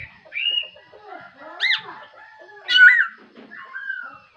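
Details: Black-throated laughingthrush singing in the morning: loud whistled notes, some arched and rising-falling, with a bright slurred phrase near the end and short pauses between bursts.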